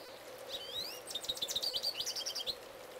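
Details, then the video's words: Male goldfinch singing loudly, recorded from close range: rising whistled slurs at first, then a rapid, jumbled run of high twittering and chirping notes. "Goldfinch Singing"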